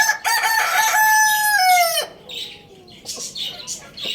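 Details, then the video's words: A Lohmann Brown rooster at Lalukhet bird market gives one loud, drawn-out crow lasting about two seconds and ending with a falling note, followed by scattered high chirps from small birds nearby. "Amazing Rooster Crowing Sound Effect"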